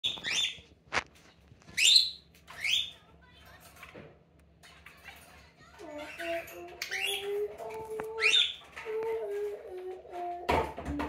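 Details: Pet budgerigar imitating a cockatiel's call: loud, screechy rising-then-falling calls come in bursts about once a second early on, then recur; a lower series of steady stepped tones runs beneath the second half, with a few clicks.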